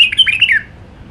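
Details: Wild White-eared Bulbul from Iraq, song in the Alwazi style: a brief burst of lively whistled notes that slide downward at the end, then quiet.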